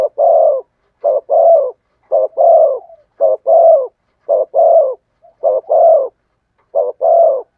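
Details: Spotted dove in the thổ sấm voice style, cooing very steadily: seven evenly spaced phrases in under eight seconds, each a crisp double note and a full, resonant long coo, in a clean recording.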